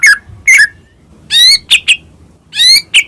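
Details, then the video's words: Medan white-rumped shama in full varied song, used to provoke other birds to sing: spaced phrases of down-slurred whistles and harsh layered buzzy notes with quick sharp clicks, separated by brief pauses. "murai batu gacor AMPUH buat PANCINGAN murai batu agar bunyi"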